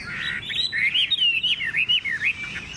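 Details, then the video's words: Caged Chinese hwamei singing rich, looping whistles, rising and falling in quick succession, bright and loud, with a clean backdrop. "Họa mi hót hét tốt - Giọng hay"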